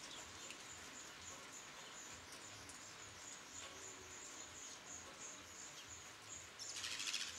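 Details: Black redstart nestlings of a third brood being raised by their parents at a nest, 21 July 2012, chirp with thin, very high notes repeated quickly, about three a second, over steady hiss, with a short rustling burst at the end.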